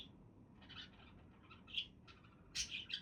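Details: Budgerigars: a few brief high chirps and scratchy squeaks, louder double chirp near the end, steady low hum behind.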